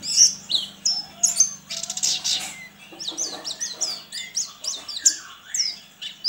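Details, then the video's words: Sambas white-eye competing online: loud high twitters and sweeping whistles, a brief noisy flutter near two seconds, then repeated chirp clusters roughly once a second with a low hum beneath. "LOMBA PLECI ONLINE 9 - Aksi Pleci KERAMAT"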